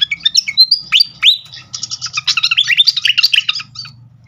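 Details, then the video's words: A srikatan flycatcher lure call for prompting song: loud, swooping whistled slurs give way to a fast, dense chatter of high, squeaky notes, with faint low rumbling beneath. "pancingan khas burung srikatan kipas"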